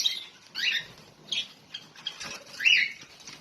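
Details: Lovebirds, with two young kept alongside, give short, harsh chirps in bursts about every half second to second, high and scratchy, with light fluttering and rustling between them.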